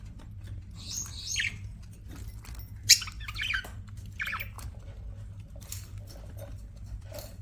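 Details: Pet budgerigars giving scattered chirps and short squawky notes with gaps between, one sharp loud click near the middle, and a low steady hum.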